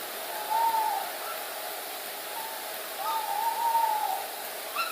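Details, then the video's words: Two tawny owls calling together: a brief hollow hoot, then a long, drawn-out wavering hoo, with a few short higher notes, over a steady soft hiss. "So what you heard there is actually two owls."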